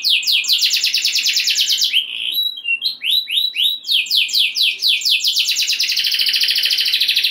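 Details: Singing canary meant to excite other canaries into song: rapid rolled trills, then a stretch of louder swooping notes in quick succession, then a return to a dense, sustained high roll.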